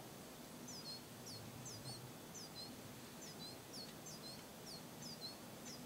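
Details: A juvenile Lesser goldfinch begs from its parents, with both adult male and female present, near Eugene, Oregon, on 11 August: thin, high, slurred notes in quick clusters, roughly twice a second, over a low background rumble.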